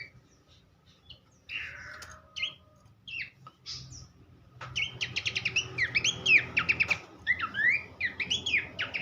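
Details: Horsfield's babbler (pelanduk semak) song used for training songbirds: after a quiet opening with scattered notes, a rich run of rapid, varied whistled and chattering phrases, swooping up and down, fills the second half.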